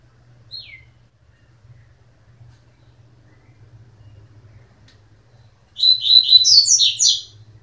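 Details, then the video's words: Coleiro: one brief downslurred whistle, then a long quiet pause before a dense burst of high, rapid twittering notes at the end. "coleiro mind flayer"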